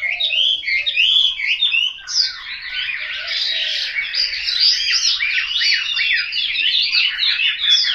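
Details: Household caged Chinese hwamei in Hanoi, Vietnam, singing clear whistled phrases that merge into a long, dense, energetic stream of rapid varied notes.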